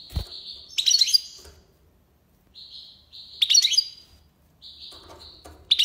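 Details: Algerian European goldfinch singing tiwawati song: level, thin whistled notes broken by loud, jangling, tinkling bursts, repeated several times with short silences; a soft thump at the start.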